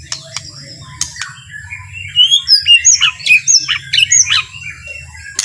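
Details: Soft, leisurely white-rumped shama song used to provoke rival shamas, beginning with sparse clicks and building to a run of bright, high whistled notes about three per second.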